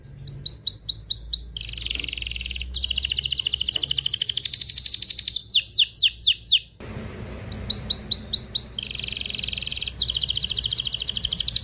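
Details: Vigorous canary song meant to excite both sexes toward mating, with fast repeated whistled notes leading into long rolling high trills, a short quiet break midway, then renewed trilling over low hum.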